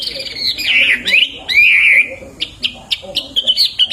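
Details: Hwamei (wambi) in lively song, used as a tutor for songbirds: harsh, buzzy, wavering notes for about two seconds, then a series of short, sharp whistled chips.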